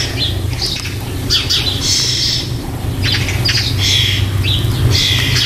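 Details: Recorded 4 May 2014, young starlings soon to leave the nest box give rapid, rough squawking calls, several per second and uneven in timing, over a persistent low-pitched rumble.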